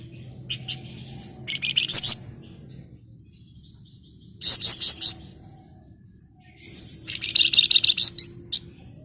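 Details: Flamboyan, a female calling a male: three loud bursts of rapid, harsh, buzzy chattering notes, each burst about a second long and separated by pauses, over a low background hum.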